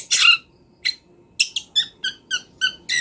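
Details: Wild long-tailed shrike song for training songbirds: a loud harsh burst, then a row of evenly spaced short notes with clear ringing overtones, about three per second.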